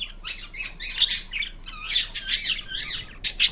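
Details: Indian ringneck parrot making a variety of different sounds: a run of squawky, chattering bursts and short whistled notes, quick and uneven over a few seconds, indoors.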